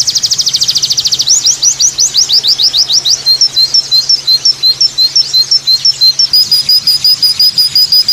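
A white-eye pours out a fast, high song: a buzzy rattle, then quick downslurred twitters and sharp chirps, about three notes a second, over a faint low hum.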